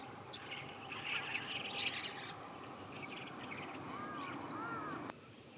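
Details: White-cheeked starlings in the morning: a burst of harsh, noisy chattering calls, then a few short, rising-and-falling whistled notes over steady background noise.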